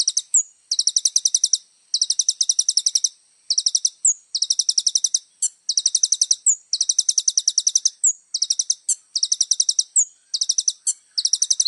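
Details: Little spiderhunter in vigorous full song: long series of bright, piercing chips delivered in rapid bursts, each introduced by a quick slurred whistle, with short gaps between phrases, continuing steadily throughout. The setting is quiet.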